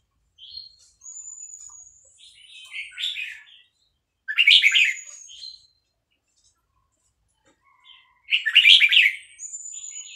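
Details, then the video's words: Vietnamese red-whiskered bulbul in a cage sings along to played chick sounds: three loud, quick warbled phrases at intervals of about four seconds, with long thin high whistles and soft chirps between them. "นกกรงหัวจุกเวียดนาม ต่อดอกเร็ว เปิดยั้วลูกนกฟักแล้วคึกร้องตาม"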